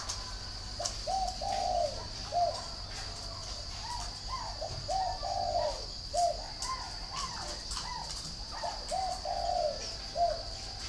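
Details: Spotted dove kept at a bird garden in Ba Vì, Hanoi, Vietnam, singing the hậu style coo: soft, mellow coos in short phrases, repeated roughly every second or two, with a steady high background hum.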